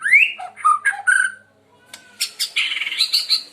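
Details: Murai Medan, a White-rumped shama with a very melodious, loud voice, singing rich slurred whistles and short notes, a brief pause, then a sharp click and a dense high buzzy warbled phrase.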